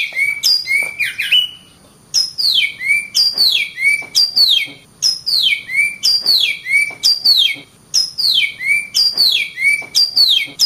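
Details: Oriental magpie-robin singing as masteran material for training other birds: a steady series of bright, falling whistled slurs, each followed by a lower rising note, repeated in rhythmic phrases about twice a second with brief pauses.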